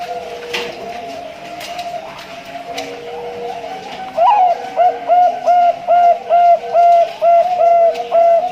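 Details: Captive male Bangkok-type zebra dove kept as breeding stock at a bird farm in Pasuruan, East Java, Indonesia: after a noisy indoor stretch, a rapid series of soft, mellow coos, about two per second, evenly repeated.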